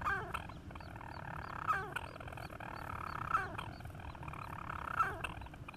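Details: Singing adult European storm petrel at a nest on Ramsey, chick calling faintly in the background, 31 July 2016; a droning purr punctuated by sharp hiccup notes roughly every 1.6 seconds, with soft higher chirps above.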